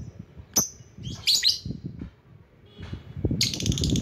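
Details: Lovebird luring rivals: scattered high chirps and a harsh chattering burst, mixed with low rustling and knocking, ending in a buzzy rattling squawk.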